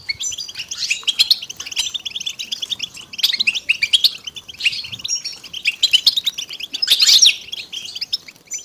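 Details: Chorus of European goldfinches with stimulating mating calls to bring silent males out of silence; lively tinkling twitters and rapid chirp runs from several birds, swelling in loud bursts around three, six and seven seconds.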